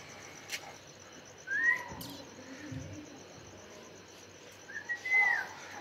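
A young Alexandrine parakeet gives two short, arched, whistled calls about three and a half seconds apart, over a steady high insect hum and a faint low voice.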